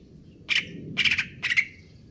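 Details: Greater green leafbird kept caged in stable condition, konslet kejer nembak style: three short rapid buzzy chattering bursts in quick succession, each trailing off into a thin fading whistle.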